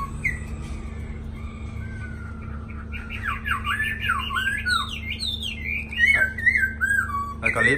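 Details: Black-throated laughingthrush, one of two large, handsome caged birds recently arrived in Hanoi, Vietnam, sings long and continuously in the 'lai dai' style: a low steady whistle, then rapid looping, swooping whistled notes climbing higher, with a constant low room hum.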